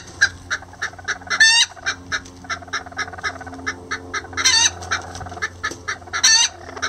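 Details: Lavender bantam roosters and hen working together on a nest; evenly spaced short clucks run throughout, with three sharp, strained squawks rising high, over a faint low hum.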